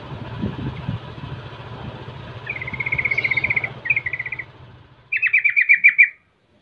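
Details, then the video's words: Yellow-vented bulbul lure song meant to taunt rivals into answering. Rapid chattering trills around two bursts, the second louder and pulsed, following a low rumble of engine-like noise and faint insects. "pancingan trucukan Rol mengejek Lawan bikin trucukan lain seketika langsung Nyaut Buka suara"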